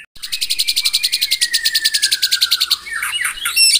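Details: White-rumped shama singing in the morning, a song meant to provoke rivals: a rapid buzzy trill of about twenty even pulses slowly falling in pitch for over two seconds, then sharp high whistled and chattering notes.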